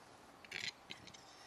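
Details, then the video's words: Display-crazy male Western capercaillie in display, giving a cluster of harsh, hissing scrapes around half a second in, then two or three shorter rasping bursts, over a steady outdoor background hiss. "Spelgalen tjäder"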